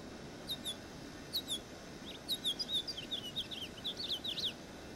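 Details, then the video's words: House finch song: bright, warbled chirps around high pitch, starting with spaced double notes then running into a quicker jumbled twittering phrase toward the end, over a steady low background hiss. "Roselin familier/House Finch"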